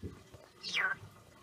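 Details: A European starling trained to mimic words gives a single clear whistle that slides steeply downward, about a third of a second long, over faint background noise; it may be mimicry.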